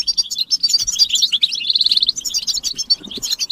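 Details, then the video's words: Mating calls of European goldfinches in a group chorus meant to stimulate males: continuous bright twittering with quick buzzy runs and tinkling notes, unbroken for the whole stretch, plus a faint low knock near the end. "بتبتة الحسون تحفيز الحسون على التغريد والهيجان علاج صمت الحسون goldfinch stimulation"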